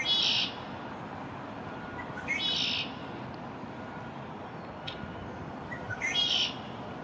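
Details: An immature male Red-winged Blackbird in his first spring, visiting a downtown backyard on May 1, 2024, gives three high, shrill whistled calls spaced two to four seconds apart. He is staking territory, with a steady distant rush behind.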